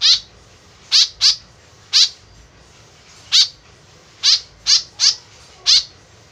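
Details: Lure calls from a tame white-breasted woodswallow: nine harsh, nasal notes, several in quick doubles and triples, others single, in a lively, uneven series over a quiet low hum.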